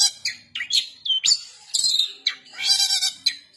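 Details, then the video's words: Varied kasaran song from a long-tailed shrike: short whistles, quick slurred notes and harsh grating bursts follow one another rapidly, with a weak low hum in the background. "cendet gacor nembak kasaran"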